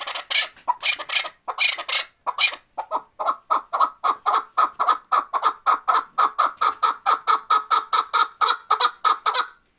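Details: Chukar partridge from Bartang in the Pamir mountains: ragged, harsh clucks give way to a long, rhythmic chain of resonant chuck notes, repeated roughly three times a second until it stops abruptly.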